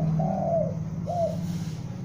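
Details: Juvenile spotted dove used as a decoy, giving two mellow coos a half-second apart, the first drawn out and sagging at the end, with a constant low hum behind.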